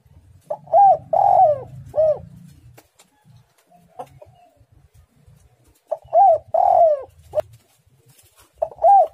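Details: Spotted dove singing actively with a dense, pressing voice: soft arched coo phrases of three or four notes, the first ending in a drawn-out coo, repeated after a pause of about three seconds over a faint low hum.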